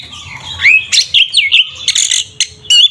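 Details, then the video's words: Kacer, an Oriental magpie-robin, delivering the 'tarung ngeplong' fighting song meant to anger a rival bird; rising whistled slurs, twisting notes and harsh buzzy bursts, with a faint low rumble underneath. "Suara burung Kacer TARUNG NGEPLONG sangat efektif untuk pancingan Kacer agar emosi"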